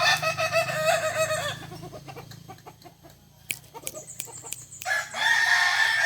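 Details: Contest crowing of kukuak balenggek chickens at Ampang Kualo, Kota Solok, 8 September 2024; a wavering crow opens, a stretch of clicks and background noise follows, then a steady, high, held crow begins at the end.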